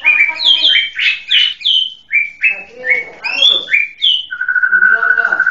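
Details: A white-rumped shama sings a varied phrase of loud whistled notes and harsh chatter, ending in a steady rapid trill of repeated notes.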